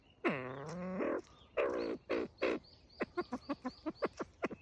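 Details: Copper pheasant giving a threatening call: a harsh, low, buzzy rising growl with strong harmonics, then shorter rough bursts, followed by a run of quick sharp clicks repeated several times a second.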